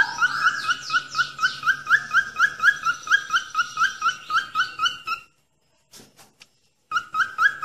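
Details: Training recording of falk bird song: rapid upslurred whistles repeated steadily over harsh, scratchy overtones, then a few seconds of near silence with faint clicks before the whistling resumes.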